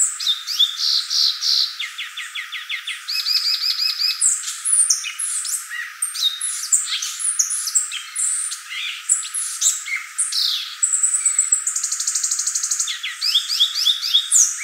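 Violaceous euphonia singing a long, high, varied medley of quick chirps, buzzy trills and sharp notes, delivered almost without pause.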